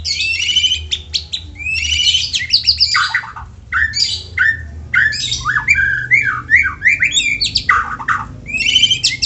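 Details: White-rumped shama song played to prompt other shamas to sing: dense harsh rattling bursts, then a run of quick whistled rising and falling notes, and rattling bursts again at the close, over a low background hum.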